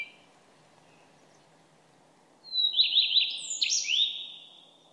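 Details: Common redstart song after a quiet pause: one short, high, quick phrase of a thin whistled start with rapid jumbled notes and a downward sweep. There is faint background hiss.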